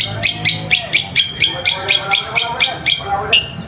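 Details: Long-tailed shrike song played to provoke reluctant shrikes to sing; steady run of loud, harsh, rasping notes about twice a second, ending with a sharper call.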